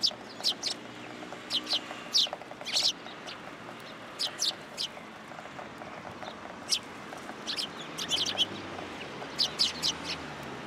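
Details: Flock of sparrows arriving at a post for food at a Tenmangu shrine in February 2023, giving scattered bright chirps in pairs and small groups over steady background hum, with longer gaps between bursts.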